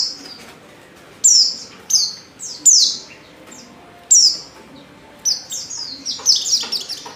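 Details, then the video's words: Female Oriental white-eye calling to entice males to sing: spaced high, descending chirps, then a quick burst of rapid twittering notes near the end. "pancingan pleci betina paling ampuh,bikin pleci jantan ngalas"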